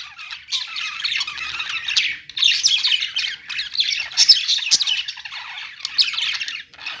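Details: Group of budgies in a pet store keeping up nearly unbroken, buzzy warbling chatter, broken by a few sharp clicks and short pauses.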